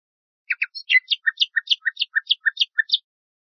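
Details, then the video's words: Common nightingale (Luscinia megarhynchos) song meant for bulbuls to memorise: a quick stuttering phrase of varied chirps, then alternating low and high notes in a fast rattling sequence lasting about two seconds. "شريط تغريد طائر العندليب لتلقين البلبل المغربي CD chant rossignol philomèle pour bulbul des jardins"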